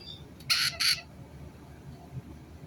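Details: White-bellied caique giving two short, harsh, broad screeches in quick succession, then quiet with faint low background noise.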